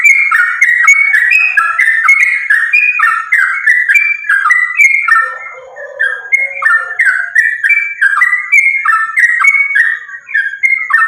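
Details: Sooty-headed bulbul delivering a continuous fighting-style song meant to prompt other sooty-headed bulbuls to sing: rapid strings of bright, bubbly whistles rising and falling, nearly unbroken, with a short lower rattling passage around the sixth second.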